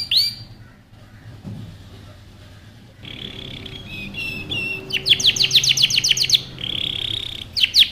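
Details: Male canary singing intensely to push a female into mating posture; high bursts of fast repeated trilled notes and buzzy rolls, separated by short pauses, with a low hum in the background.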